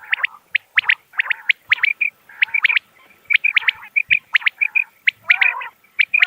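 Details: Common quail, natural call used to attract birds when hunting. Rapid clusters of sharp, high notes mix with short steady whistled tones and a few lower, rougher bursts, close together and continuous.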